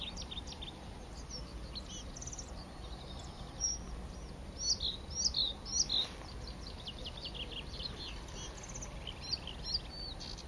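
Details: Bluethroat singing in April 2017 at Saint Etienne de Montluc, France: high chirped and looped notes come in bursts, loudest around the middle, over steady low rumbling background noise.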